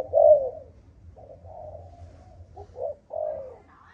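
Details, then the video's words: Malaysian-line spotted dove in the 'âm thổ' earthy-voice style: one strong falling coo, quieter murmured notes, then a further pair of hollow coos, with a soft low background hum. "Cu gáy malaysia dòng âm thổ tê tái"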